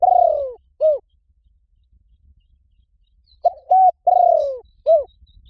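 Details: Wild-dove lure recording of a spotted dove. The tail of one phrase, a long descending rolling coo and a short arched note, is followed after a pause by a complete phrase of short note, level coo, falling rolled coo and arched ending.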